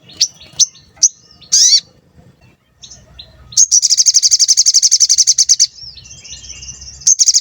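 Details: Sooty-headed bulbul (sogon) lure song, described as frequent 'cuit cuit' calls: quick high chirps and a dropping whistle, a pause, then a long, rapid, evenly pulsed high trill of about two seconds, followed by more chirps.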